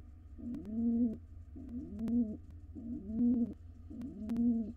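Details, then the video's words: Wild pigeon pair courting at a nest box, one bird giving deep rolling coos, four arched, rising-then-falling phrases spaced about a second apart, with faint clicks and knocks in the background. "Pigeon pair court each other."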